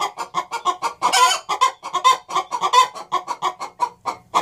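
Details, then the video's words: A pair of hens cackling in a nest box, neither having laid an egg yet. Dense, overlapping clucks tumble out several per second, with a few louder, strained notes woven into the quick, uneven pulse. "Cackling duet - two musical hens singing on the nest box"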